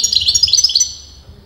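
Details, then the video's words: A short, bright run of rapid, evenly spaced twittering notes, about eight chirps, from a European goldfinch of disputed sex, fading out into quiet background murmur. "غناء متواصل لمقنين"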